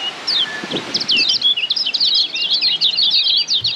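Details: Lombok yellow white-eye (kecial kuning, pleci Lombok) from Lombok, a Padangan-style song used as a tutor recording for training caged birds: fast, high, continuous twittering of tumbling whistled and chirped notes, quickly varied, with faint low rustles.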